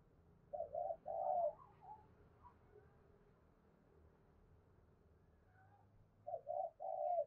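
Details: Decoy spotted dove calling at a distance, quieter than the background. Two three-note coo phrases at the start and end, soft hollow hoots ending in a longer purr, over a steady low rumble of ambient noise.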